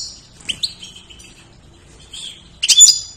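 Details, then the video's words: A goldfinch whose song serves to tutor other songbirds gives sparse, sharp, upslurred chips and a short whistle, ending in a brief, bright twittering flourish. "GOLDFINCH GACOR"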